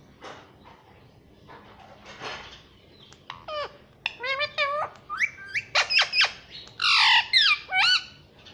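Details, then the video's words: Indian ringneck parrot kept as a pet, said to say "mummy" repeatedly. Quiet murmurs give way to a burst of sharp rising squawks and harmonic, speech-like syllables that grow louder and denser toward the end. "Pyaara Parrot Mummy Mummy Bolta hai"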